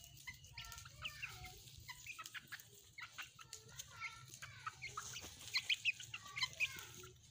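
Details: Playing pet chickens, hens with chicks, giving a steady patter of short clucks and high chirps; sharper, piercing chick peeps grow louder toward the end.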